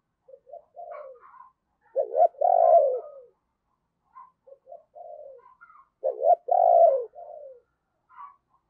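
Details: Spotted dove decoy calling to draw wild doves. Two cooing phrases, each of soft introductory notes and then a loud, stuttered coo with a long falling tail, separated by a pause of about three seconds.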